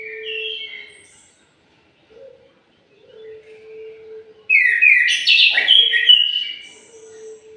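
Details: Orange-headed thrush in morning song. A few soft whistled phrases give way to a loud, rapid burst of varied warbling notes, with a steady low hum running underneath through much of it.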